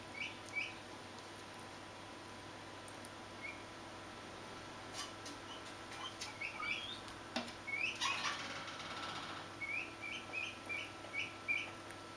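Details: Swinhoe's pheasant chick giving short, high, upward-flicking peeps, scattered at first and then in quick runs of four or five, over a steady low hum and occasional soft rustling and clicks.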